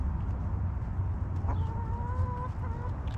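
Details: Backyard hens in their coop, relaxing: one drawn-out, even, tonal call lasting about a second, with a fainter second note after it, over a steady low rumbling hum.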